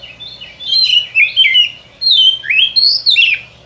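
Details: White-rumped shama singing a lure song meant to attract birds in the forest: a continuous run of loud, varied whistles, slurred downward then sharply rising, in quick phrases of about half a second.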